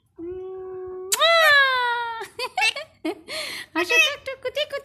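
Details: Pet parrot mimicking Bangla speech indoors; a long steady tone sliding upward into a loud harmonic-rich voiced phrase, followed by a string of short clipped syllables and chatter.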